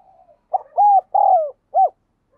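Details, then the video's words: A single coo phrase from a decoy spotted dove luring wild doves: a soft lead-in, a short note, two long throaty rolling coos and a brief rounded final note, all in quick succession. "Chim Cu Gáy Thúc, Chiêu Bổi Nhanh Về Cội"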